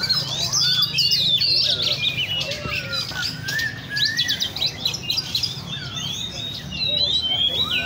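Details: Caged Oriental magpie-robins at a songbird cafe in Le Thi Rieng park, Vietnam: overlapping high whistled phrases and quick slurred notes from several birds, with a low hum and murmuring voices beneath.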